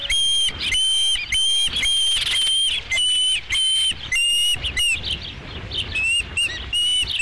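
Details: Osprey calling at a nest at Dunrovin Ranch on 5 July 2016, around the delivery of the first fish: loud, sharp whistled chirps, each a clear high note, given in quick bursts of repeated notes with brief pauses between them.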